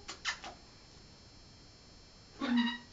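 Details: A pet red-lored amazon copies sounds a girl is making: two quick breathy syllables, a pause, then a short, nasal, childlike voiced sound in a quiet room, as grey parrots nearby greet her return.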